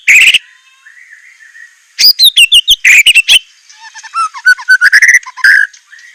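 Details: White-rumped shama delivering lavish filler song, known locally as isian murai batu: a harsh burst, then quick runs of bright whistled and chattering notes, ending in lower fluty warbles that rise and fall.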